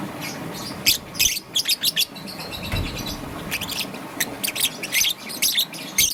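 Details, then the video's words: Morning chirping from a young green and yellow peach-faced lovebird: clusters of high, harsh, clipped chirps separated by short gaps, with a faint low thump midway. "Relaxation of Lovebird's melodious chirping sound - Young Peach Face Lovebird - Green and Yellow"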